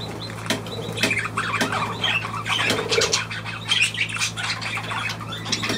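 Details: Budgerigar chatter from 23 June 2023: harsh squawks and twittering notes tumble over one another with no pauses, above a constant low mechanical hum.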